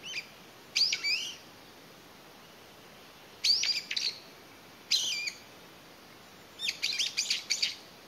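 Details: A lone Brown-eared bulbul in May 2021, perhaps separated from its family and calling for companions, listening between calls, gives four loud bursts of shrill, squeaky, down-slurred calls, the last a rapid stuttering series.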